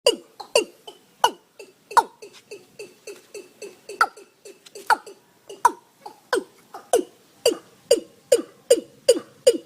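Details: Watercock calling, a series of loud, hollow, booming notes repeated about twice per second, each with a sharp onset and a falling tone, steady and rhythmic throughout.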